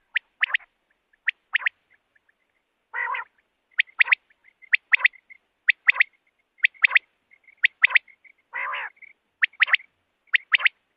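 Common Quail giving sharp, clipped liquid notes in pairs and triplets, the familiar 'wet-my-lips', about once a second, with two brief harsh rasps and faint thin whistling between.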